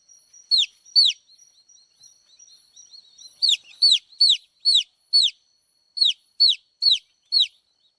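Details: Baby chicks chirping: high, sharply falling peeps, a few scattered at first, then a quick run of about ten evenly spaced, loud calls, with no other sounds.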